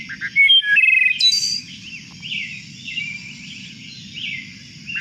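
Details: A single Wood thrush (Hylocichla mustelina) sings two different songs at once, one from each side of its voice organ: a clear, fluty phrase ending in a shimmering high trill, then quieter echoing notes over a low background hum.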